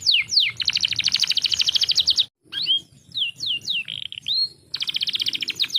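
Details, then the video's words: A canary used to draw reluctant canaries into song: bursts of very rapid buzzy trills alternate with a short silence and slower, separate curving whistled notes. "PANCINGAN BURUNG KENARI MALAS BUNYI SUSAH GACOR"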